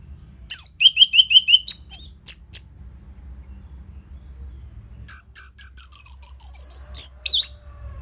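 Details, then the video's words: Orange-headed thrush in full loud song with tight pauses, played to set off silent caged birds: a fast series of repeated chirps and sharp notes, a gap, then another even run of repeated high notes. "Pancingan & Masteran ANIS MERAH Gacor Jeda Rapet Suara Keras || Burung Macet Pasti Ikutan Bunyi."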